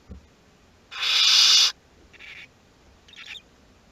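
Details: Western barn owl in a nest box at Théding, second brood hatching on 22 August 2021: one loud, rasping hiss-screech of almost a second, followed by two shorter, fainter hissing bursts.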